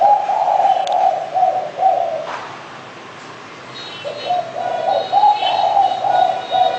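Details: Spotted dove cooing in low, level notes, one run early and a second after a quiet pause of about a second and a half, with a faint chirp or two in the background.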